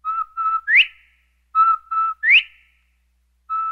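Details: Northern bobwhite giving clear whistled calls: two short, level notes followed by a loud, sharply rising slurred whistle. The phrase comes twice about 1.5 seconds apart, then a third begins, against an otherwise silent background.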